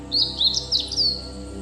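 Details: A meadow bunting (Emberiza cioides) on Mt. Haruna, Japan, gives a quick run of four or five thin, high, sliding chirps within about a second, over a faint steady low hum.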